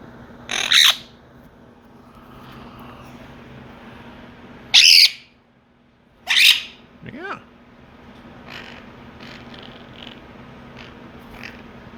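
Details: Quaker parrots kept as pets squabbling loudly with one another: three separate piercing, raspy squawks a couple of seconds apart, followed by softer chirps and a brief whistled note.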